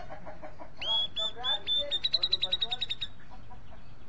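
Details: Grey-cheeked bulbul song: low chattering notes lead into a sustained high, ringing whistle that slides slightly upward and turns into a rapid, regular pulsing trill before fading out.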